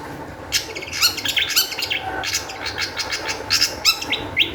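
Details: Agitated Long-tailed shrike song used to spur other shrikes to sing: loud grating, scratchy notes in tight clusters with occasional high whistled accents, fast and irregular, over low background noise.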